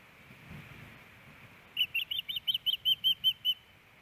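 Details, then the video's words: Osprey flying over its nest at night at Hellgate Canyon, Missoula, Montana, April 29; after a quiet hiss, about ten sharp, high chirping whistles follow in quick succession, then stop. "Hellgate Canyon Ospreys ~ Louis' Night Fly Over"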